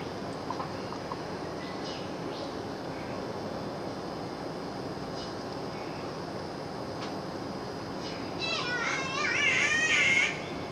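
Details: A Green Catbird, filmed in the morning through a kitchen window, gives one drawn-out, nasal, wavering cat-like mee-ow near the end, after a long stretch of steady background hiss and faint distant chirps.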